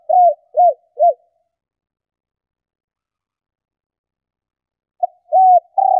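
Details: Female spotted dove cooing to stir males into calling: three short, soft, arched coos about half a second apart, a long pause, then another phrase with a longer drawn-out note. The background is silent.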